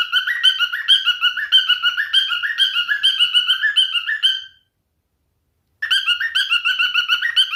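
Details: A male cockatiel sings a lively repeated warble of chirps stepping up and down in pitch, a brief silent break, then the same chattering song resumes.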